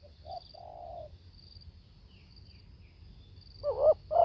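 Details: Spotted dove, live: soft, mellow low coos at first, a quiet stretch, then the loud hoarse opening notes of the next phrase rising at the end.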